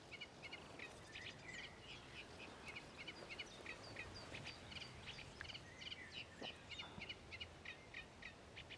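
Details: Common ringed plovers at Ilmatsalu on 1 June 2017, giving short clipped piping notes in rapid, uneven series, several birds overlapping, with a steady hiss of environmental noise behind.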